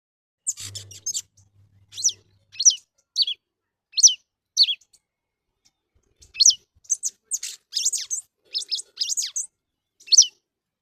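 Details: Red-cowled cardinal, known locally as cravina, singing a run of high whistled notes, each sliding down sharply, in two bursts separated by a pause of about two seconds. A brief low hum sounds near the start.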